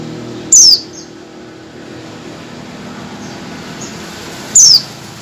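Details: Female Oriental white-eye calling for a male: two identical thin, descending whistles about four seconds apart, with faint softer chips between and steady traffic rumble underneath.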